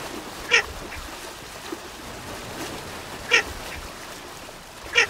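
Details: Baer's pochard uttering three well-spaced, brief, grating notes roughly two to three seconds apart, with low background hiss throughout.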